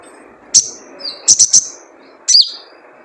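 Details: Wild sunbird (sogon) call used as a lure to make captive sogon sing: sharp high chirps, a single note, then a quick run of three, then a downslurred note, over a steady low background hum.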